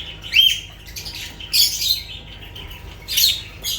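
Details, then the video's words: Shrill lovebird squawks, three harsh screechy bursts spaced about a second apart, the first with a rising whistled edge, over a faint background hum. "Sounds of lovebirds"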